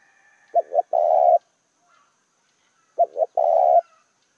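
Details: Decoy spotted dove calling to stir up wild doves: two cooing phrases about two and a half seconds apart, each two quick low coos followed by one longer, rolling, purring coo; otherwise quiet background.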